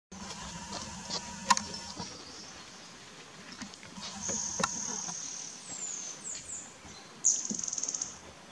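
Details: Montane woodcreeper at Sanicitro, Ecuador, on 17 November 2017, giving thin, very high notes, ending in a quick burst of about eight sharp, evenly spaced notes; soft clicks and a steady background hiss.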